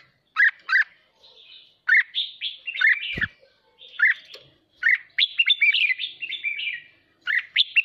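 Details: Red-whiskered bulbul in fired-up 'hót ché' stimulating song: crisp doubled chirps, then flowing warbled runs of clear whistles in separate bursts, with a low thump partway through.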